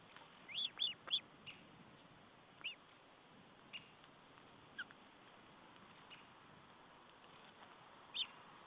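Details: Osprey feeding at its nest, 14 July 2012; a quick run of three thin whistled chirps early, scattered fainter notes after, and one last chirp near the end, all over steady hiss.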